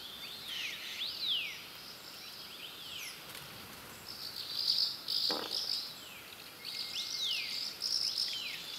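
Asian house martins give high, thin chirps and quick slurred twitters in overlapping bursts, several birds calling together over a steady background hiss.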